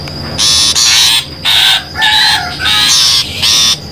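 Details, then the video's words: Long-tailed shrike lure call for trapping: five or six loud, harsh, nasal screeches, each about half a second, some slightly descending, at an uneven rhythm. "suara pikat burung pentet"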